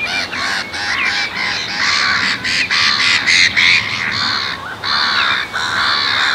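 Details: Black-tailed godwits, subspecies islandica, at Marshside RSPB Reserve, Southport, Lancashire, June 2014, filmed with a Lumix GH4: a noisy run of loud, harsh, nasal calls, several per second, with brief gaps, from a calling group.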